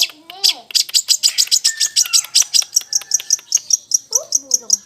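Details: Long-tailed shrike of the blangkon type in lively song, with mimicry of fighting sparrows and a lovebird: rapid, regular high chirps around two per second, with lower squeaky, slurred notes at the start and end.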